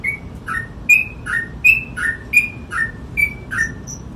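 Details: Sooty-headed bulbul in full ropel-style song, a brisk chain of short clear whistles alternating high and low, about two notes per second, with a faint soft hiss behind.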